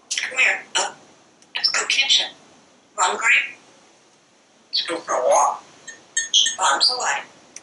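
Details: Parrot talking non-stop on a screened back porch while watching squirrels and birds, producing four clipped speech-like phrases with pauses between them, in the manner of "some broccoli, some water". The background is otherwise quiet.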